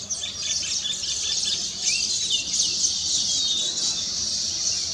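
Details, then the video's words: Weavers perched on finished nests sing together after completing them; many high, scratchy twitters and squeaky slurred notes overlap into a busy, unbroken chorus. "Weaver Bird Songs"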